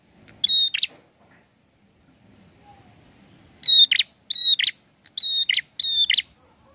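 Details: Prinia song, described as full and lively: phrases of a short flat whistle ending in a harsh buzzy burst, one phrase, then a pause, then four more in quick succession about every 0.7 seconds.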